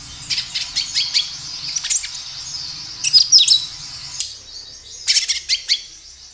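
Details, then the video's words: Kinoi giving energetic gacor song over natural background sound, used to lure birds into singing: quick series of high sharp chirps, a denser trilled burst midway, then more clipped chirps. "Suara kinoi gacor"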